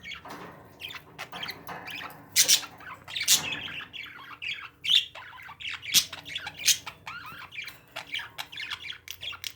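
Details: Pet parakeets chatter busily, with a steady run of short high chirps broken by sharp, loud squawks every second or so.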